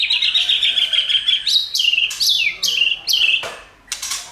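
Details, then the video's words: Training song of a White-rumped shama, meant to stimulate other shamas to sing: a long, steady high whistle, then a series of sharp upward and downward sweeping notes and clipped chips. "Chòe lửa hót"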